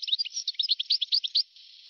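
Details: A quick run of bright, liquid twittering notes from a European goldfinch, lasting about one and a half seconds before fading into faint hiss, taken from an old recording made between 1982 and 1990.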